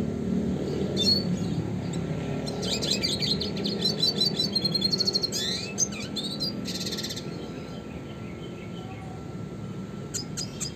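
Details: Red siskin, classic lively style used to tutor and lure songbirds for contests, sings a dense twittering run of high sharp chirps and buzzy trills from about two to seven seconds, then sparse notes over low background hum.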